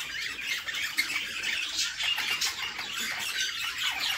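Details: Budgerigar nestlings beg loudly in their nest box during feeding by their mother, a thick, continuous chatter of shrill, rasping squawks.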